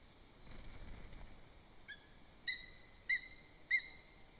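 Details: Female lesser spotted eagle at a nest in Zemgale, Latvia, on a live nest camera. She is worried and calls the male because another bird is too near the nest. A faint note is followed by four clear, short whistled yelps, evenly spaced about every 0.6 seconds and growing louder, over a soft background hiss.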